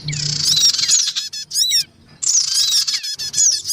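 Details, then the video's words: Noisy male and female black-winged cuckooshrikes and young, recorded to lure wild birds: a rasping squawk burst, scratchy chattering notes, a short silence, then another harsh screech. "mp3 suara pikat sogon ribut. dan anak sogon"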